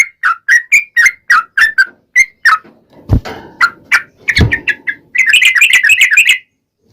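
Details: Sooty-headed bulbul (trucukan) lure song meant to draw replies: a steady string of short whistled notes, then two loud knocks and rustling, ending in a fast chattering burst.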